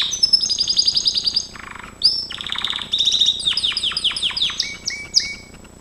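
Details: Gloster canary singing a training song: bright, fast trills and rolls with quick rising and falling whistled notes, switching phrases every second or so, some buzzy stretches, no other sounds.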